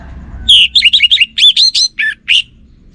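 An orange-headed thrush sings a quick run of about ten clear, varied whistled phrases, mostly high and sweet with a few lower notes, over faint background hum.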